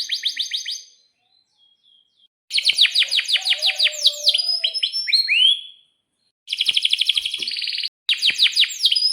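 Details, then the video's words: Constantly singing canary with long rolls and sharp 'cuit cuit' notes, used to coax other canaries into song: bursts of fast trills and downward-sweeping chirps separated by short silences. "suara kenari gacor panjang AMPUH,, PANCINGAN KENARI AGAR BUNYI JADIKAN BURUNG KENARI GACOR Seketika"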